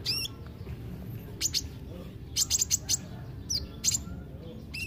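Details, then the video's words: Kolibri ninja (olive-backed sunbird), played as therapy to prompt birds that are reluctant to sing: thin, high chips and short twittering bursts in clusters, with pauses between them, over a low background hum. "Terapi kolibri ninja (konin ) yg males bunyi"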